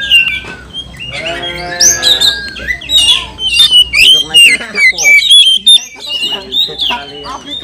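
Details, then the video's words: Agitated oriental magpie-robin singing, meant to provoke rival birds: loud, varied high whistles, sliding notes and harsh chattery bursts in quick succession, with people talking and laughing underneath. "Kicauan kacer kanibal, mbagong, salto, over emosi bikin kacer lain tambah emosi dan gacor"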